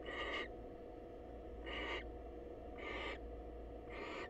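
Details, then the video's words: Four raspy, breathy hisses from a wild female barn owl greeting a male at a nest box. The bursts come about once a second and sound rough and noisy rather than tonal, over a low constant hum. "Female Barn Owl Visits Male Counterpart To Say Hello"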